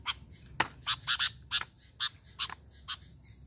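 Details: Sooty-headed bulbul call series for summoning other bulbuls: a steady stream of about ten sharp, scratchy chip notes at uneven intervals, some doubled, over faint background noise.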